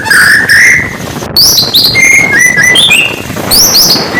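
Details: Oriental magpie-robin (murai batu) in morning song, used to rouse competing birds; clear whistled notes rising and falling, short high slurs and brief trills, with a faint hum beneath.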